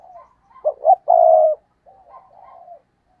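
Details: Stuttering coo (gù cà lăm) from a decoy spotted dove meant to provoke wild birds: two abrupt hooting notes run straight into a drawn-out deep coo, trailing off into faint soft coos.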